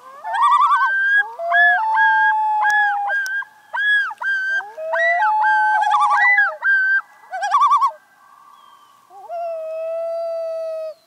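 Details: Loons on a local pond in May give loud, ringing calls. Rapid wavering tremolo phrases alternate with long, level, clear notes, and several voices overlap. The calls are clean, with a quiet background.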